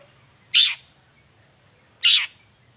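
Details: Long-tailed shrike singing in the morning as a lure to provoke other shrikes to reply: two loud, short, grating rasps about one and a half seconds apart against a quiet background.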